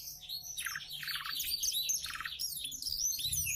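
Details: Canary tutored with the black-throat's song, kept in Klaten, delivering rapid high chattering notes broken by lower rasping buzzy bursts repeated about every half second, faint low hum behind.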